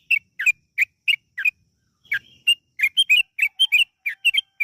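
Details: Lure song of a yellow-vented bulbul: a few spaced chirpy whistles, a half-second pause, then a quicker jumble of paired bright notes.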